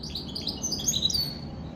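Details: Short burst of bright, high twittering from a goldfinch × canary mule: quick slurred chirps and a few sharp whistled notes run together.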